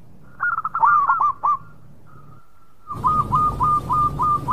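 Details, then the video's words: Local zebra dove singing: a quick burst of hooked, cooing notes around one kilohertz, a pause with a faint held tone, then five or six evenly spaced rising-falling coos. "Perkutut Lokal Gacor Suara Mewah"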